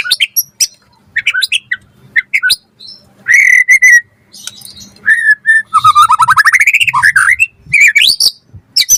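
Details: Varied white-rumped shama song used to coax other shamas into singing: scattered high chips, a sustained harsh buzzy note, then a fast trilled run climbing in pitch, closing with rising whistles.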